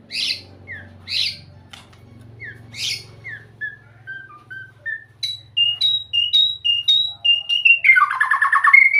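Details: White-rumped shama singing: a few sweeping downslurred phrases, then a run of short clear whistled notes that climb step by step in pitch, ending in a dense, rich warbled flourish over a faint low hum.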